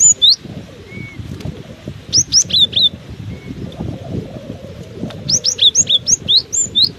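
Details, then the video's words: In gusty wind a cinereous tit sings vigorously, giving repeated bursts of piercing high whistled notes, the last burst a longer run of about ten quick chirps, while wind noise rumbles low throughout. "Diterpa angin kencang! burung gelatik batu ini tetap gacor"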